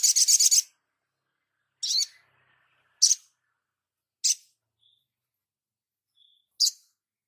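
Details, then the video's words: Crimson sunbird master recording for training: opens with a rapid, high stuttering trill, then single sharp, thin chirps spaced about a second apart in otherwise quiet surroundings. "Dasyatnya MASTERAN INI ‼️SOGON LANGSUNG NGLEPER ‼️"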